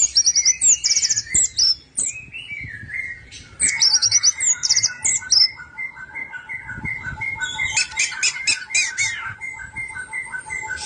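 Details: Orange-headed thrush song meant to stir reluctant birds into singing: trilled high phrases and sweeping whistles, then a dense chattering stretch, over a steady thin whistled tone from other birds.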